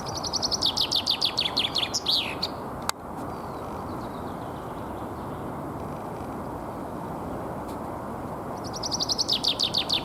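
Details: Spring territorial song of a common chaffinch in Alexander Park, Pushkin, Saint Petersburg, Russia, on 17 April 2021: a rapid series of high descending notes ending in a flourish, a pause, then the next song starting, with constant broadband background hum.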